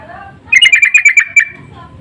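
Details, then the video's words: Sooty-headed bulbul lure calls, loud and insistent, meant to draw answering birds: a quick burst of about eight bubbly chirping notes in under a second, set against a faint low rumble. "Pancingan dan panggilan burung trucuk saling bersahutan❗suara ngotot"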